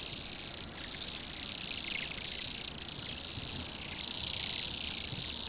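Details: A flock of Bohemian waxwings feeding on rowan berries by a road in Pushkin, Saint Petersburg, on a gloomy December day gives thin, high, trilling calls merging into a shimmering chorus, swelling louder now and then.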